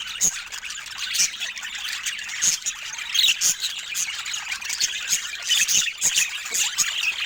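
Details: Several pet budgies making soft sounds of joy: a continuous high, busy chatter of chirps, squeaks and short squawks from many birds overlapping, with sharp clicks scattered throughout.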